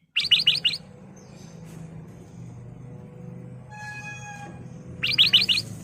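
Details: Lively ruby-throated bulbul (kutilang emas) lure song for caged birds: a burst of four rapid, sharp chirps, a pause with faint tonal hums and background rumble, then another quick four-note burst.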